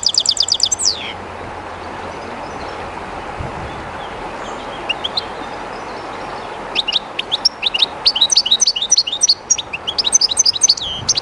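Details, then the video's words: European goldfinch kept by its owner, singing by the river Jerte while somewhat timid: a short trill at the start, a long gap of river noise, then an extended burst of rapid sweet twittering. "JILGUERO CANTANDO EN EL RÍO/Goldfinch singing in the river/Chardonneret chantant dans la rivère"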